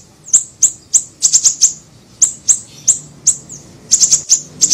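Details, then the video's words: A siri-siri bird in a lure recording gives loud, high, piercing chirps in quick bursts of two to four, separated by brief gaps. "PANCINGAN PIKAT SUARA BURUNG SIRI SIRI KECIL"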